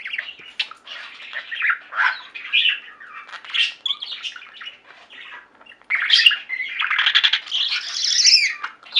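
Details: Several pet budgies singing together indoors, a steady stream of scratchy warbles, clicks and chirps, growing louder and busier after a short lull near the middle.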